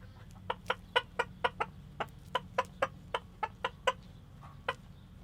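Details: Rooster calling hens to come get food, telling them where the food is: a rapid series of short, sharp clucks, about fourteen in five seconds, fairly evenly spaced, over low background hum.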